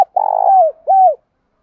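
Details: Loud, clean spotted dove coo: a long, gently pulsing low note that falls away at the end, then a shorter arched coo. From a recording of male and female doves used to stimulate other doves to call.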